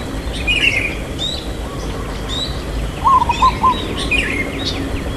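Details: Local zebra dove singing in "irama lelah" rhythm with a long "kuk": one quick phrase of four low coos past halfway, while other birds chirp and trill higher before and after over outdoor background noise.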